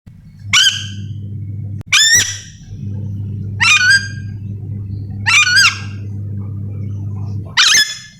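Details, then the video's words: Yellow-and-green lorikeet, a parrot endemic to Sulawesi, calling: five loud, harsh, wavering screeches spaced over about eight seconds, with a steady low hum between calls. "Suara asli nuri dora memanggil"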